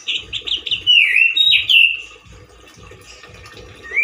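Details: Male orange-headed thrush in full song, loud and harsh like a wild bird, with limited variety: quick rising whistled notes, then slurred falling and rising phrases, over a faint pulsing low hum.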